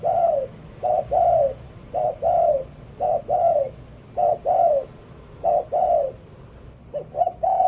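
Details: Spotted dove used as a decoy gives a run of paired coos: a clipped note, then a longer falling one, repeated roughly every second, with faint ticking sounds in the background.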